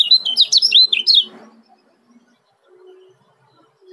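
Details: Quick burst of high, jerky chirps from a male yellow-vented bulbul of Lombok, the fast ciak call used as a lure, lasting just over a second before fading to quiet with a faint low hum.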